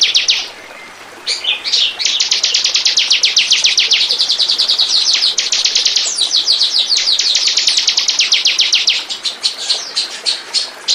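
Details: Bar-winged prinia song, recorded as a lure to draw in birds: a sustained, rapid, high-pitched run of sharp repeated notes lasting most of the clip, preceded by a short quiet start.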